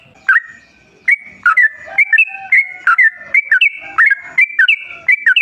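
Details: Bubbly whistled phrases from a yellow-vented bulbul, played to lure other bulbuls into song; short liquid notes in quick clusters, rising and falling, with brief pauses between groups.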